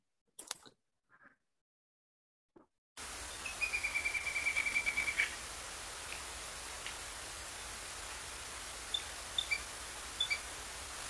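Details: Little Grebe calling at night during nocturnal migration, calls quite unlike its daytime ones and often puzzling: a quick, high trill of about a dozen even notes lasting over a second, then a few short, sharp high calls over steady hiss.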